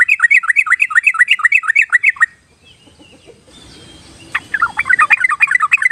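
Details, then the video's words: Yellow-vented bulbul song used as a lure to prompt timid birds to sing: bubbly, warbled phrases repeated quickly for about two seconds, then quiet, with a few more liquid notes returning near the end. "pancingan dasar buat burung trucuk yang masih penakut atau giras"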